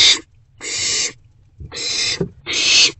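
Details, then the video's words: Owl in a nest box on the evening of 29 March 2024 as rodents are delivered; four harsh, drawn-out hissing screeches of about half a second each, separated by short pauses, with faint low bumps underneath. "Two Rodent Deliveries To the#OwlBnB"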